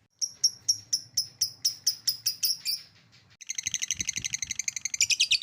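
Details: Lovebird ngekek song meant to stimulate other lovebirds. Sharp separate chirps come at about four per second, then a pause, then a denser buzzy chatter that rises in pitch at the end.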